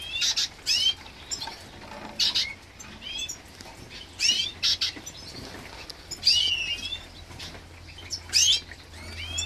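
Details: A green siskin × canary hybrid at a nest check in 2023 gives thin, high twittering calls with quick rising and falling slurs, in bursts every couple of seconds, mixed with soft wing flutters.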